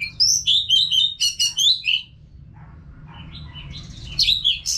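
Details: Caged-bird training recording of an Orange-headed thrush singing: a rapid run of sweet, sliding whistled notes, then a quiet gap with soft murmuring, then a fresh burst of high warbled phrases.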